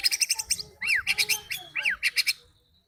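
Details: White-rumped shama, used as a singing lure: clusters of rapid buzzy high notes alternate with two swooping rising-and-falling whistles, with faint low background noise.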